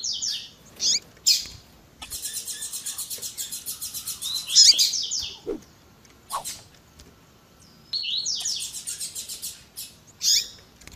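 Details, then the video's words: Double-collared seedeater in the tui tui zel zel style with female chirps: sharp chirps, long rapid buzzy trills of repeated notes, and descending runs of slurred whistles, the pattern given twice. "COLEIRO TUI TUI ZEL ZEL COM PIADO E CHAMANDO DE FÊMEA MUITO QUENTE CHAMANDO E MACHEANDO MUITO."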